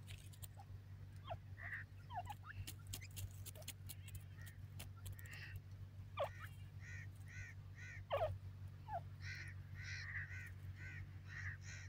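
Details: Grey francolin chicks at play in the Pakistani forest: scattered peeps and clicks at first, then a run of evenly spaced soft chirps, about two or three per second, over a low background hum.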